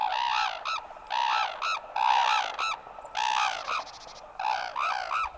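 Crane giving loud, trumpeting calls that rise and fall, in bursts of two or three notes about half a second apart, over a faint outdoor hiss.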